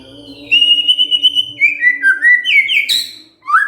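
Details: White-rumped shama responding to provocation with gacor song: a sustained high whistle wavering, then stepped falling and rising whistled notes, a sharp burst, and a final rising note, over a low steady hum.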